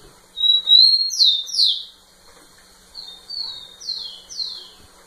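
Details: Rufous-collared sparrow singing to a female: a rising level whistle and two steep descending slurs, a short pause, then softer flat whistles and two more falling slurs.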